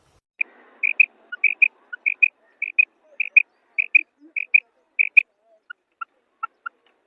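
A female quail gives short, high, clipped notes, mostly in quick pairs, repeated about every half second, then a few softer, lower notes at the end.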